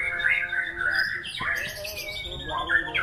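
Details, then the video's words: Short burst of white-rumped shama song: a clear whistled phrase, a sharp click, then bright high trills and a falling whistle, over a low steady hum. "Aksi MURAI BATU SNIPER memukau ngeplay dengan irama lagu mewah"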